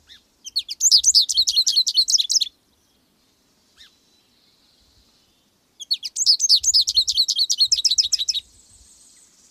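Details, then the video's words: Twittering song of an American goldfinch: dense, high, rapidly repeated chirps in two bouts of about two seconds each, with a faint low thumping underneath and a soft hiss at the end. "American gold finch"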